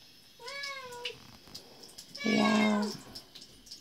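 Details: Macaw kept as a pet, following its owner into the bathroom and playing before the mirror, gives two drawn-out, tonal, harmonic calls, one short and one louder and longer, resembling meows, over a faint room hiss.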